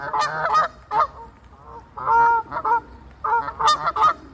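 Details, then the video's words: A Canada goose named Maximus, causing havoc, honks loudly in irregular bursts: harsh nasal calls with a rising-falling tone, several in quick succession over about four seconds. "Canada Goose "Maximus" Causing Havoc"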